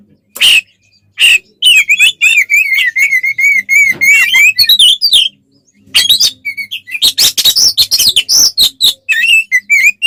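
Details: Oriental magpie-robin singing combative ngeplong song as bait for other birds. Sharp chips, then a long run of steady repeated whistles, followed by dense harsh chatter and rising whistled notes.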